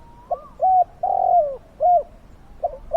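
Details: Spotted dove used as a decoy to lure and catch wild doves, with a big, fierce voice: low, mellow cooing notes in a broken rhythm, a few short coos followed by a longer drawn-out one, in a quiet setting.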